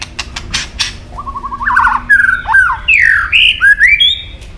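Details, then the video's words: Shama, white-rumped, in competition song: opening clicks, a short repeated stuttering note series, then loud varied whistled phrases rising and falling in pitch. "chòe lửa đập đuôi nhấp cầu hót đấu giọng rừng dài"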